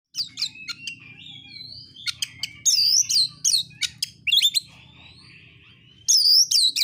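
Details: Oriental magpie-robin, a caged bird singing a fighting song meant to provoke rival birds into answering; loud harsh chattering bursts alternate with sweet upward-curving whistles and softer warbled phrases, with a low steady hum underneath.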